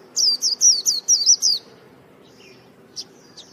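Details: A white-eye, described as purebred, gives a rapid run of about seven high, curling chirps in under two seconds, then a few faint scattered notes against a quiet background.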